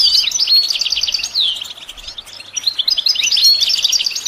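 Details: Singing goldfinch for songbird training: continuous fast, scratchy twittering at high pitch, a rolling stream of clipped notes with a brief dip midway before resuming.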